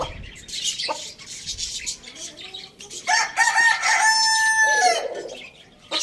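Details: A rooster crows loudly at a village farm where roosters are eating tomato: a sustained, ringing two-second call arriving after a stretch of soft clucks and background chirping of small birds.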